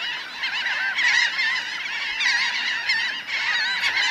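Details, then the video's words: Close-up recording of a large flock of about 1000 laughing gulls, on the ground and in flight, calling in a dense, continuous chorus of nasal, yelping notes that overlap constantly with no pauses. "Laughing Gull. CU Calls From A Large Flock Of About 1000 Birds"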